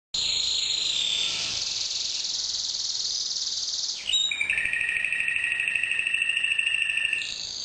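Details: Red mosaic canary singing: long sustained buzzy trills held for several seconds, then switching abruptly to lower, steady rolling tours, loud and continuous.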